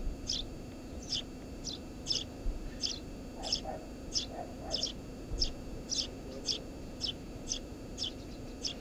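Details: Eurasian tree sparrow nesting beneath a house roof utters bright, dry chirps roughly every half second, fairly evenly spaced, with a faint low hum behind.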